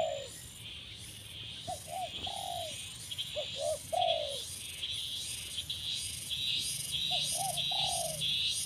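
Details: Spotted dove in training as a branch decoy gives mellow cooing phrases, quick clipped notes then a drawn-out downward coo, while a pulsing insect chorus buzzes steadily at high pitch.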